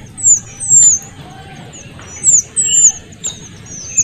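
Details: Small minivet, male and female calls combined, giving thin, very high, sibilant whistles, each a quick slurred 'swee' arriving in short bursts about every half second, over soft background hiss.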